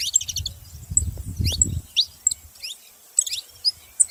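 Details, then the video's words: Saffron finch giving sharp, high chirps that slur downward, scattered through the clip, with a burst of low rumbling noise near the start. "canário da terra fazendo barulho"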